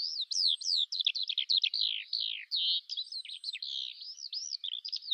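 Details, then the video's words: Eurasian skylark in full song: a ceaseless run of high warbles, sweeping whistles and fast chattering trills, varied and hurried, with no other voices present. "Жаворонок полевой (Alauda arvensis) *** Пение птиц"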